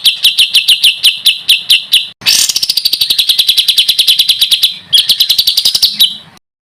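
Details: Songbird master recording of tight, rapid fill phrases for training contest birds: evenly repeated sharp chips, then a long fast buzzy rattle that slowly falls in pitch, and a final rising trill.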